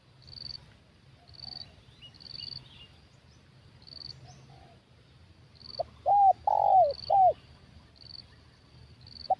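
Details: During a spotted dove trapping session with a decoy, pulsed high insect buzzing fills the first seconds before a burst of four arched dove coos, then one more short note at the end.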